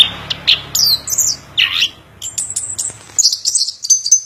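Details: Orange-headed thrush (anis kembang) singing in Indonesia: a broken string of high chirps and short trills, one loud downward-slurred note midway, then bright thin whistles near the end with brief pauses between phrases.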